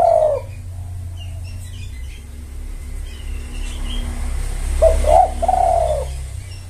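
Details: Spotted dove calling to lure males: a coo fragment at the start, then after a pause a gurgling, stuttered coo ending in a drawn-out note, over a low hum with faint small-bird chirps.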